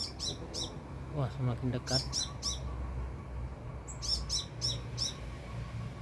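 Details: Sunbird about two and a half meters away, repeating quick triplets of shrill, high chirps; a man speaks briefly in the middle, with low rumbling underneath.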